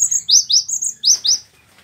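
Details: Cinereous tit singing from a master recording meant for training caged birds: a fast run of six sharp, high whistled notes, slightly downslurred, then a brief pause and silence.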